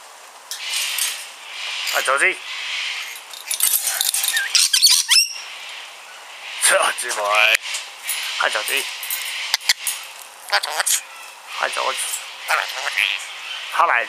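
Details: Pet rainbow lorikeet mimicking human speech indoors: chattering, voice-like phrases with harsh high screeches and clicks, broken by short pauses, while a person repeatedly greets the bird in a soft voice.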